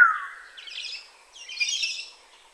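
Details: Black-naped oriole, Kaohsiung, Taiwan, 9 May 2016: a clear downslurred whistle opens, followed by two bursts of rough, chattering, buzzy notes.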